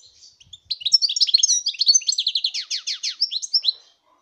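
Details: Rapid, bubbling song of a European goldfinch from 2019: a dense sequence of high chirps and downward-slurred notes running for about three seconds before fading out.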